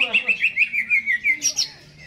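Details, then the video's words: Caged greater green leafbird singing actively before being hung up, in jamtrok style: about nine quick chirped notes sliding gently downward, then a brief higher twitter before fading. "CUCAK HIJAU GACOR...Sebelum di gantang"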